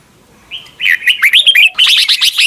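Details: Red-whiskered bulbul giving a mature, wild-style double-note song used for morning song training: a soft opening note, then one continuous run of bright, rising and falling warbled whistles lasting about two seconds.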